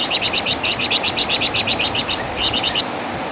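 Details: Wergan Jawa, the flamboyan bird, sings its loud chattering song for songbird tutoring: a rapid string of high curled notes, a brief pause, then a short final burst.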